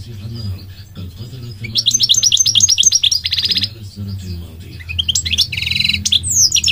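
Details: Lively goldfinch song with a quick series of sharp chirps, a buzzy rattle, faint pauses, then more jangling twitters and buzzy trills; low hum and faint speech beneath.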